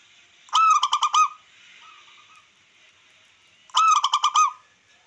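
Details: Zebra dove of the local wild type, song used to provoke rivals and stir breeding drive: two bursts of rapid, pulsed cooing notes, each a quick stuttering series lasting under a second, separated by about three seconds of quiet with a faint hum.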